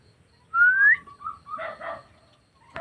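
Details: Black-naped oriole gives a bright rising whistle, then short level whistles and broad nasal notes, ending with a sharp harsh note.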